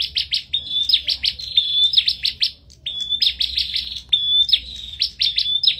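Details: Bar-winged prinia in a singing contest, loud and persistent: rapid ringing chips mixed with drawn-out high whistles, two long phrases broken by one short pause.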